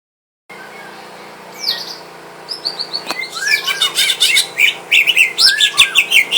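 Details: Caged greater green leafbird at home, sparring with a rival to test its nerve: after half a second of quiet, high sweeping whistles build into a dense run of sharp chirps and slurred notes.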